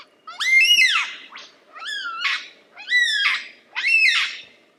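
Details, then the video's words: Lyrebird singing four loud, rich, ringing phrases, each arching up then dropping, repeated about every second against a quiet background. "Lyrebird The Best Songbird Ever!"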